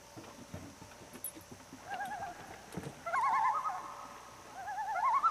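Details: Common loons on Lake Florio, Québec, Canada, give wavering, quavering tremolo calls in short bursts, the laughing notes shaking rapidly at a middle pitch, with soft knocks and low background noise early on.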